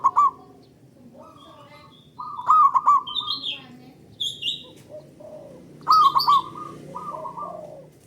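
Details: Local zebra dove song, loud and long, used as a lure to prompt other doves to sing. Two warbling coo bursts with even trailing notes, softer lower tones and scattered higher bird chirps.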